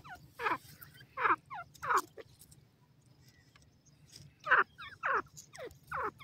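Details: Grey francolin in the forest giving loud, harsh downward-sweeping calls in short bursts, three in quick succession, a pause, then three more.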